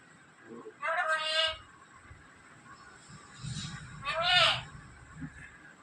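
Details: A pet black-capped lory (Lorius lory) mimics speech amid Malayalam family chatter, giving two short, nasal, word-like bursts about three seconds apart over low background murmur.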